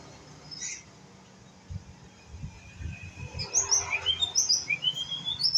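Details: Young pistol-tailed white-rumped shama practising song: near silence and faint knocks at first, then a quickening series of high whistles and a long drawn-out rising whistle near the end.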